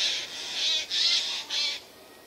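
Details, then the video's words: Eurasian jay in spruce trees, 13 September 2024; four loud, drawn-out rasping screeches in quick succession, each about half a second long. "Голоса соек"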